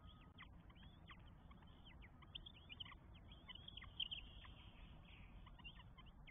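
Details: Four Northern goshawk chicks begging while being fed at the nest in Estonia on 24 May 2022; dense thin, high squealing calls, many sharply down-slurred, overlapping almost continuously, over a low background rumble.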